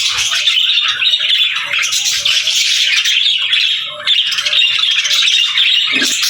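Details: Crowded budgerigar chatter: a thick wash of fast chirps and harsh squawks from many pet birds, briefly dipping near the four-second mark before resuming at full volume.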